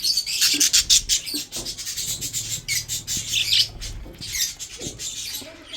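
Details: Breeding budgerigars eating food, chirping in a near-continuous stream of rapid scratchy twitters and buzzy squawks, with faint low rustling beneath.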